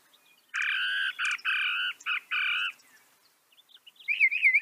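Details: Harsh, buzzy notes from a northern mockingbird, given five times in quick series, then a pause and a brief run of high twittering notes.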